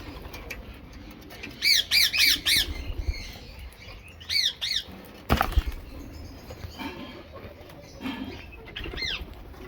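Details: While eating mixed food, a rose-ringed parakeet utters a quick run of four shrill, wavering screeches, a later trio of similar harsh calls, and scattered quieter notes, with a sharp knock in between.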